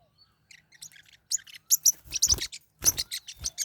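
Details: Two or more pet Forpus parrotlets fighting, starting with faint chirps that grow into loud, rapid, harsh chattering with noisy scuffling bursts.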